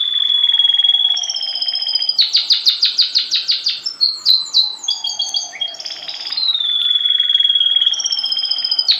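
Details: Canary song from a tutor bird placed below pupils in vertical song training: a long steady whistled tone, then fast repeated rolling trills and a buzzy passage before the whistle returns.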